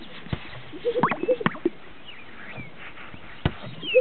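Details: Greater sage-grouse displaying at a lek in northern Utah, making a run of hollow plopping blips and pops around one to one and a half seconds, a lone snap later and faint whistles.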